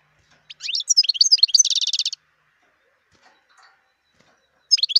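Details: Wild European goldfinch singing a fast twittering phrase of high, slurred notes that runs into a rapid, rattling trill, then silence before another phrase begins.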